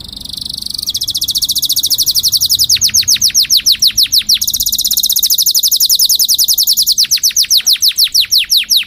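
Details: Canary song for teaching fledglings and bringing hens into breeding condition: a short high note, then a long fast buzzy roll broken by stretches of quick falling whistles, repeated twice.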